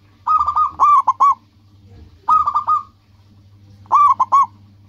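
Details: Local zebra dove in lively song: three loud phrases, each a fast rolling trill followed by two or three clipped accented notes, about two seconds apart, with a steady low hum.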